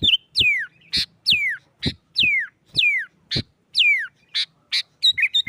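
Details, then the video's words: Excited sooty-headed bulbul singing in a fighting style that goads rival bulbuls into song: repeated loud whistles falling sharply in pitch, roughly one every second, alternating with sharp percussive clicks, ending in quick short chirps. "Suara Burung Kutilang Gacor Nggaruda KUTILANG RIBUT Ampuh untuk TES Mental EMOSI Kutilang Lain"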